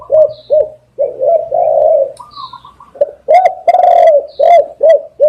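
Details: Spotted dove repeatedly cooing as a lure: low hollow coos in two bursts, each with short notes and a long throaty croo, a thin twitter of another bird overhead between phrases.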